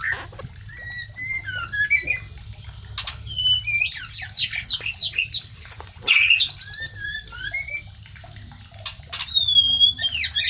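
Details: White-rumped shama mating call used to bring other shamas into breeding condition: scattered whistled notes, then a dense burst of rapid chattering phrases, ending in long clear whistles.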